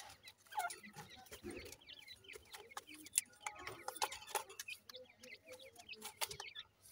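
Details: Grey francolin chicks, Punjab, Pakistan, calling together with crowded, shrill little downslurred peeps, mixed with sharp tapping clicks and faint rustle.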